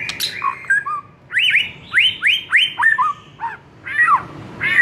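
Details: White-rumped shama song used to train other shamas; loud rising whistles in a quick repeated series, mixed with lower slurred notes and a warbled closing phrase.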